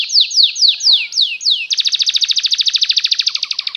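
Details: Canary song used to lure canaries into learning to sing: five slow, drawn-out down-slurred whistles, then an abrupt switch to a fast rolling trill that gradually fades.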